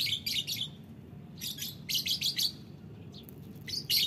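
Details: Lovebirds in the morning, a bright burst of high chirping and twittering in quick clustered bursts, several overlapping, with short pauses between, over a low steady background hum.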